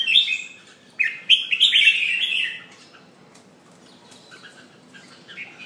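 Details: Caged red-whiskered bulbul pumping and singing: a burst of bright warbled notes around the start, then a louder run of rich, slurred whistled phrases for about two seconds, followed by softer scattered chirps.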